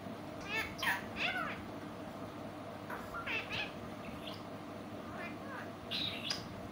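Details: Pet parrot talking in a sweet voice: short harmonic squawky syllables with wavering, speech-like pitch, in several bursts over a steady background hum.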